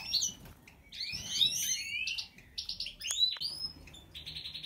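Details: European goldfinch song: rapid high twittering of varied chirps and rising slurred notes, a few buzzy trilled phrases, clustered in quick bursts.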